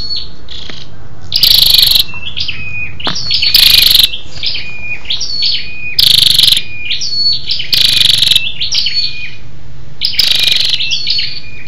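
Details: Scarlet-backed flowerpecker female rousing males: a busy run of short, high, level whistled pips and slurs, broken four times by loud rasping buzzes.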